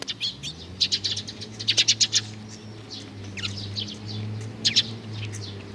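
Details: Sparrow chick chirping in tight clusters of sharp high notes, pausing and resuming, with a steady low hum running underneath.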